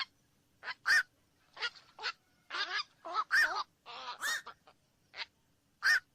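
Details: Black-crowned night heron croaking in grating, honk-like quoks, a dense cluster of longer calls in the middle, then isolated sharp notes toward the end.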